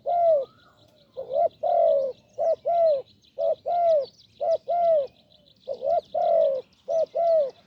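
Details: Deep-voiced wild spotted dove at a decoy-trapping branch, cooing in quick pairs of a short note followed by a longer drawn note, repeated about once a second, in a quiet setting.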